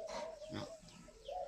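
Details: Young spotted doves at a dove-rearing farm, giving a low hollow coo that holds steady, breaks briefly, then swells again near the end, with faint higher chirps in the background.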